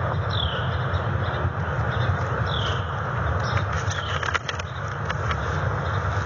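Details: Bald eagles at their nest in November during disputes over a big branch while readying the nest; a few faint, downward-sliding high calls over a steady roar of wind and background noise.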